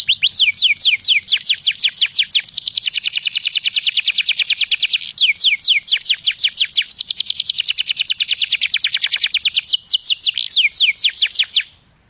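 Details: A canary sings to prompt mating, a long fast trill of sweeping high notes that shifts pace several times, briefly breaking into denser rolls before ending in a short quiet tail.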